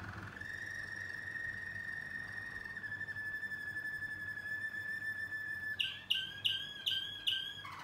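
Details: Young Waterslager canaries from 2020 singing: a long steady whistled tone held for several seconds, then a run of sharp repeated notes about twice a second at the end.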